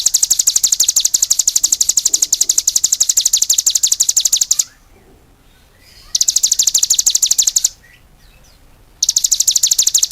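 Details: Cigun bird singing vigorously: fast, even trills of sharp, high chirps in long bursts separated by short silences, three bursts in all.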